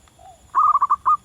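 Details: Wild zebra dove singing in the wild: a soft low coo, then a loud run of about five quick rolling, purring notes near one pitch, the last one longer.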